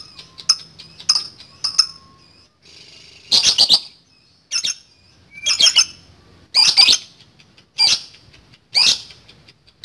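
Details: Lovebird giving a long chattering 'ngekek' song meant to provoke rival birds into answering; harsh, high, buzzy squawking bursts repeated about once a second, with short chirps between them.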